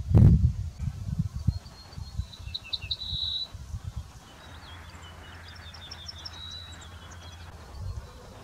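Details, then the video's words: Rural ortolan bunting song from walnut trees among several singers: a loud handling thump, then a phrase of a few high notes ending in a held whistle, followed by a fainter distant phrase, with low wind noise throughout. "CHANTS D'OISEAUX : LE BRUANT ORTOLAN (Emberiza hortulana - Ortolan Bunting)"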